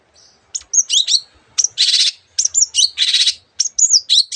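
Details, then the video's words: Energetic Long-tailed shrike song mixing mimicked calls of other birds: high whistled downslurs and chirps broken by two long harsh, buzzy rasps, each almost half a second, in a quiet background. "cendet gacor masteran untuk burung yang susah bunyi banyak varian suara burung lainya"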